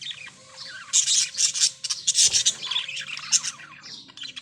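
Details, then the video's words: Parrots squawking loudly: a long series of harsh, grating shrieks in quick succession, with scratchy chatter between them. "beautiful parrots | birds | chirping"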